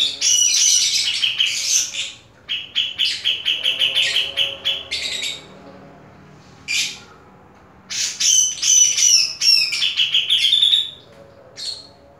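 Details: A caged grey-cheeked bulbul sings fiercely in long busy phrases of harsh chattering and buzzy notes laced with clear, slightly wavering whistles, in dense runs separated by brief pauses.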